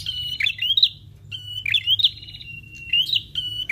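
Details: Prinia lure sound: shrill chirps with long buzzy held tones between upswept twitters, repeated about every second, over a constant low hum.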